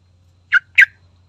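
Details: Yellow-vented bulbul (trucukan), played as a lure to provoke a response: two short, harsh, chirping notes about a quarter second apart, over a steady low hum.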